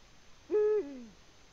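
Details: Eurasian eagle-owl in its nest in Latvia on 14 February 2020, giving a single deep hoot, steady for about a third of a second before sliding downward into a softer falling tail, with quiet background.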